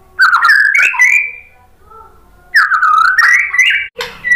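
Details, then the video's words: White-rumped shama singing to coax other birds into answering: a rolling warbled phrase, a quiet gap, then a second tumbling series of whistles that rises toward its end. "KICAUAN MURAI BATU bikin NYAUT jadi GACOR NGEPLONG BONGKAR MATERI ISIAN ¦ PANCINGAN MURAI"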